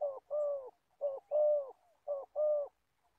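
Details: Spotted dove serving as an old trapping decoy in Gia Lai, Vietnam: three clean coo phrases, each a short clipped note then a longer sustained hoarse coo, evenly spaced about a second apart.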